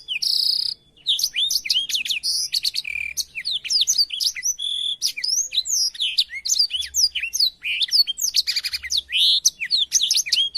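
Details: Tutor song of a blackthroat for canaries to learn: a long unbroken stream of varied high whistles, sharp chirps, rattles and brief buzzy notes delivered at a rapid tempo, with one short break near the start.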